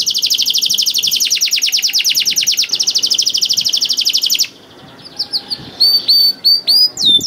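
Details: Male canary in lively song used to coax silent canaries into singing: a long fast rattling trill of crisp repeated notes, a sudden pause, then scattered bright whistled upsweeps.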